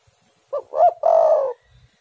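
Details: Single spotted dove phrase used as a lure to prompt other doves to sing: a quick low note, a rising-falling second note, then a long drawn-out buzzy coo, clear and close.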